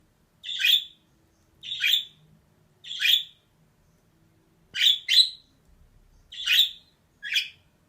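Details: Female budgerigar giving seven harsh, scratchy chirps, singly or in quick pairs, roughly one per second, against a quiet indoor background.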